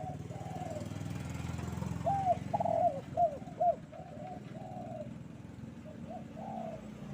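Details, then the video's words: Spotted dove cooing on a bright morning over a steady low rumble; a clear cluster of emphatic coos mid-recording, with fainter muffled coos before and after. "Di pagi hari nan cerah ☀burung derkuku kuk 2 gacor"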